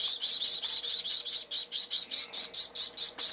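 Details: Three caged Gouldian finch chicks, 22 and 23 days old, in an open nest being fed by their mother, recorded January 13, 2009: high, hissing buzzy begging notes repeated steadily about four times a second.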